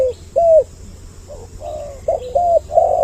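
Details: Spotted dove lure call aimed at males and females, two voices: a few soft, swelling coos, one longer drawn-out note, then a quick pair of coos ending the phrase.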